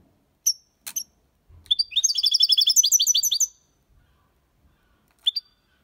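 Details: European goldfinch in the Málaga copy style, meant as a model for young birds learning song. A few isolated sharp chirps lead into a fast, even trill of about fifteen bright, liquid repeated notes lasting nearly two seconds, then a final chirp.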